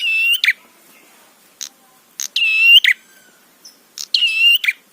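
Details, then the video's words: Prinia song played to provoke other prinias: three buzzy-then-whistled phrases, each a steady ringing tone that rises slightly and closes with a harsh rasp, spaced roughly two seconds apart. "Masteran Suara Trapi Prenjak PANCINGAN EMOSI BIKIN BUNYI"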